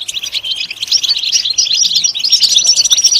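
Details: {'caption': 'Goldfinch song used as singing stimulation for goldfinches, a quick, jingling twitter of high notes with a few thin, sustained whistles toward the end.'}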